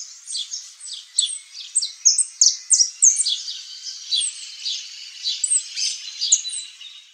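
A saffron finch sings a fast, jumbled stream of high, bright chirps and sharp trills, about three notes a second, with no other sounds.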